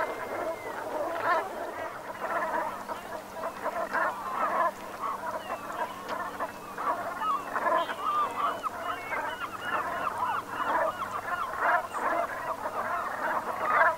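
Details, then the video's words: Brent geese in the Gulf of Morbihan, Brittany, France, at sunset on 7 November 2021, autumn: a continuous mass of low, gargling 'rronk' calls from many birds, rising and falling in waves, with a faint low hum beneath. "BERNACHES Cravants/Automne/Ambiance Sonore"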